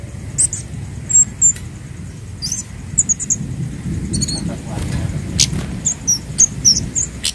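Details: Orange-headed thrush singing, used as a lure recording for training caged birds; bursts of very high, quick whistles and clipped chirps in irregular runs, with a steady low rumble underneath.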